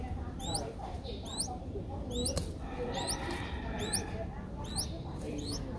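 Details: Five-day-old Streak-eared Bulbul nestlings in Ubon Ratchathani, Thailand, recorded 7 April 2023: thin, high chirps with a sharp upward sweep, repeated roughly once a second in a steady series over a low background hum.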